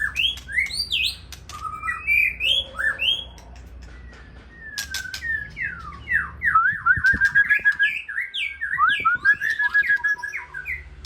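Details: White-rumped shama from Aceh singing in the evening: a varied run of clear whistled phrases, rising and falling slurs, then a fast tumbling series of short downslurred notes in the final seconds, with faint low background hum.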